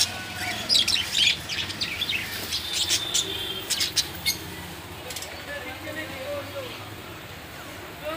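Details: Captive long-tailed (shaft-tail) finches offered for sale give a burst of quick, high chirps and twittering notes, then quieter calls, over a low background hum and faint voices.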